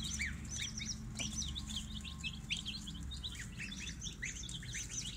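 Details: Baby chicks in a brooder, two batches kept together: a dense chorus of high, short, downward-slurred peeps overlapping continuously, over a steady low hum.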